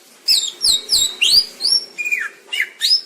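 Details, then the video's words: Greater green leafbird song of rapid, sharply sweeping whistled notes, several slurred downward and upward, delivered in a quick varied run with a faint low hum behind. "Cucak ijo biar ga kondangan mulu master pakai ini bos"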